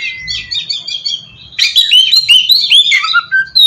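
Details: Oriental magpie-robin song used as a lure to draw other magpie-robins into answering: thin, sweet phrases, then a louder, denser run of rapid varied whistles and trills after a brief pause, with fluttering and slurred notes.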